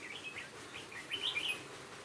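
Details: A Hòa Bình red-whiskered bulbul decoy, calling from a trap on 18 November 2017, utters a short run of soft, wavering whistled notes. The notes grow brighter near the end.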